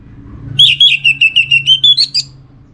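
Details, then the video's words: Orange-headed thrush song from a kept bird in North Bali, Singaraja: a rapid string of about ten clear whistled notes, steady in pitch and rising slightly at the end, over a soft low hum. "Spektakuler Kicauan Burung ANIS MERAH Pancingan Bikin Teler"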